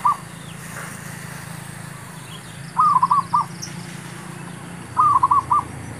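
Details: Zebra dove male calling during trapping of wild birds, producing rolling phrases of several short, quick staccato coos, two full phrases about two seconds apart after a clipped opening note, with faint distant chirps and low rumble behind.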